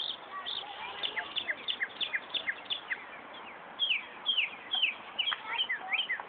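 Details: Northern mockingbird copying a car alarm at Buckland Park, Brighton, New York; rapid series of downslurred high whistles, speeding into quick bursts, over light background noise.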